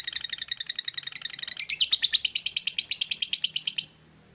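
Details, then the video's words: Lovebird trilling in the morning, recorded to prompt other lovebirds to chatter: quick, dense high-pitched rattling notes that grow louder and coarser, then stop abruptly just before the end. "SUARA PEMACU Ini Bikin Love Bird Ngeroll & Ngekek Ganas!"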